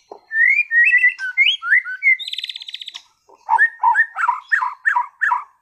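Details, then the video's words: Captive white-rumped shama from Sragen, Indonesia, a contest-class bird singing strongly through its repertoire. Rich rising whistles come first, then a quick metallic rattle, then a run of lower, bubbling, repeated notes. "MURAI BATU TEMBAKAN ISTIMEWAH gacor bongkar materi"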